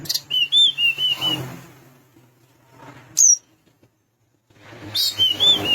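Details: Sunda minivet song of wavering, warbled whistles, a pause with one sharp high upslurred note, then the wavering whistled phrase returns; faint low rumble behind.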